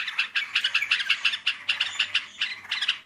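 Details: Sooty-headed bulbul used to lure birds, melodious voice: a brisk sequence of about twenty short, bright chirps in uneven groups over three seconds.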